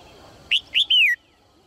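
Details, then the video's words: Female red-whiskered bulbul giving a lively call that prompts males to sing: a single clear phrase of two short rising notes followed by a longer, smoothly descending whistle. "นกหัวจุก birds - เสียงนกตัวเมียส่งเสียงเจื้อยแจ้วจูงใจนกตัวผู้ให้ร้องเพลงอย่างมีความสุข"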